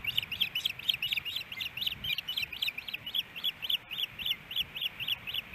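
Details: Early-morning osprey calling at a Hellgate Canyon nest in Missoula, Montana, April 18, 2018, around a fish delivery, recorded by nest camera: an unbroken run of shrill, piping chirps, quickly repeated and slightly uneven, over steady background hiss.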